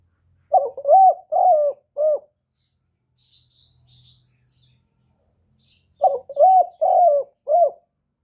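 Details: Spotted dove song used to attract doves when trapping, recorded cleanly: two phrases of four soft, hollow, low coos each, the phrases about four seconds apart in an otherwise quiet setting.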